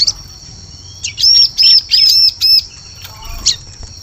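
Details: Lure recording of a bar-winged prinia (ciblek) for forest bird trapping: a run of four loud, high, evenly spaced arched chips, then a brief single note, with a steady piercing hum underneath.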